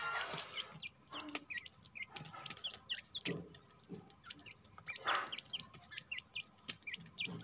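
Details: Jungle teetar (grey francolin) released into the wild, uttering many brief upward-curling chirps in rapid succession, broken by loud rustling bursts and scattered clicks.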